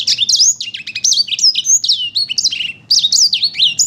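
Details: A sanger paud sings vigorously in a dense, rapid medley of high piercing whistles, quick downslurred notes and short chattering bursts, with one brief pause about two-thirds through before resuming just as intensely.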